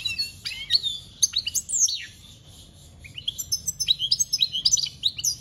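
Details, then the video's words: Singing European goldfinch in 'campero' (wild field) style, 2021. Bright, tinkling phrases of rapid high chirps and downward-slurred notes, a brief pause, then a quicker run of twittering syllables, with faint low rumble beneath. "Goldfinch singing - Jilguero Cantando Campero - Chant Chardonneret"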